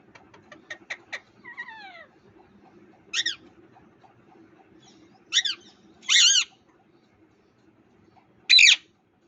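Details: Parrot calling in India: a quick run of dry clicking notes and a short descending squeal, then four separate harsh screeching squawks spaced a second or two apart against a steady low hum.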